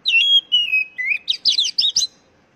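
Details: Oriental magpie-robin phrase used to encourage caged birds to sing: a sustained bright whistle, then lower held tones, a rising swoop, and five quick, chattering, high-pitched bursts in close succession.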